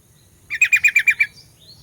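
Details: Sooty-headed bulbul lure song used to rouse rival bulbuls: a quick run of six bright, evenly spaced chattering notes over under a second, followed by faint soft distant chirps.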